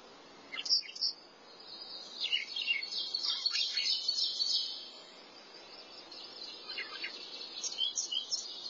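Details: Singing thrasher delivering a dense, scratchy run of high jumbled notes with sharp chips, pausing briefly before resuming with varied short phrases.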